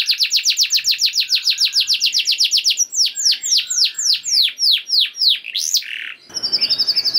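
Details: Canary singing as a prompt for other canaries: a fast run of sharp falling notes, slowing into broader downward sweeps, then a harsh burst and a high ringing trill.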